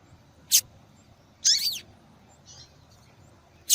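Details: Calling female double-collared seedeater, used to warm up male singing; a sharp high chip, then a longer twisting, slurred chirp, with another chip at the very end and faint softer notes between.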